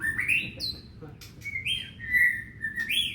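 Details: Loud, clear 'gacor' song of a white-rumped shama, used as a lure to get pet shamas at home singing: sweet rising whistles, a high slurred upsweep, then level and gliding whistled notes with short gaps.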